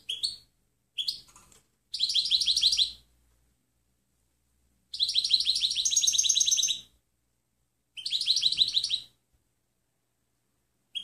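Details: European goldfinch singing in 'limpio' (clean) style for bird training: bursts of fast, tinkling, buzzy twitters lasting one to two seconds, separated by short silences, with faint low background rumble.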